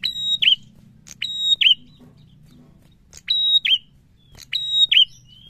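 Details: Active prinia repeating a bright phrase: a sharp click, a flat high whistle and a quick twisting end note, four times at about 1.2-second spacing, with faint low rumble behind.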